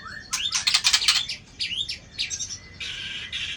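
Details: White-rumped shama singing in a contest: a rising whistle opens, then dense bursts of scratchy, rattling notes, a swooping upward whistle, and a closing buzzy trill.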